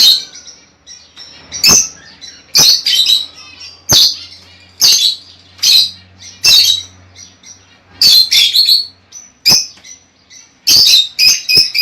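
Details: Lovebirds kept for breeding, sound played to encourage breeding: shrill high squawks and chirps in loud bursts about every second, with softer chatter and a faint low hum between them.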